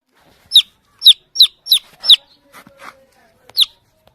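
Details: Baby chick chirping while looking for its mother hen: loud, high, sharply descending peeps in an irregular series of about six, with a few fainter rustling sounds in between.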